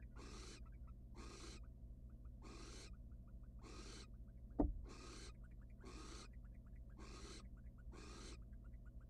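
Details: Wild barn owls in a research nest box, the male arriving without food and the female ignoring him. Eight rasping, noisy hisses come at an even pace of roughly one per second, with a sharp thump midway and a constant low hum.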